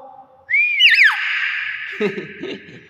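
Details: Hill myna (intermedia) in Thailand: a quick rising whistle twisting into a loud looping note, held tone ringing on, then lower, voice-like chatter at the end.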